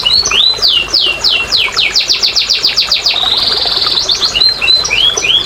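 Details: Canary song for prompting lazy canaries to sing: rising and falling whistles, a quick series of descending notes, a brief buzzy trill, then scattered sweeping chirps.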